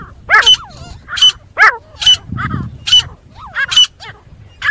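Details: Grey francolin giving its fighting call, said to work very well for hunting: loud, buzzy double notes with looping squealed tails, repeated roughly every second, with a soft rumble between calls.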